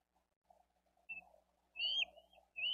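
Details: Bald eagle nestling asking for food on a nest camera, Dade County, April 2023, during a fish feeding by the adults. A brief thin whistle, then longer high slurred whistles that dip and rise again, over a faint steady hum.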